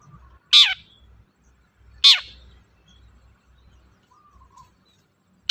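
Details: Cendet, the long-tailed shrike, sings to prompt a quiet bird into song: three loud, abrupt notes sliding sharply downward, about a second and a half apart, with faint soft sounds between.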